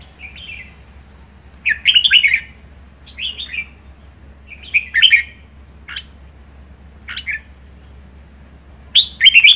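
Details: Pet red-whiskered bulbul singing 'ché' style: short, punchy warbled phrases of fast whistles and clicks repeat roughly every second or so, some loud and dense, others brief, over a faint low hum.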